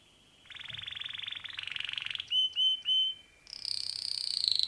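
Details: Male canary song: a buzzy trill that rises slightly, three distinct clear whistles, then a high, fast shimmering trill.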